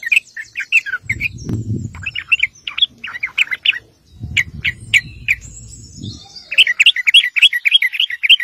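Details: Sooty-headed bulbul lure song to draw replies from other bulbuls: bursts of bubbly chattering notes interrupted twice by low rumbling noise, ending in a fast run of chirps.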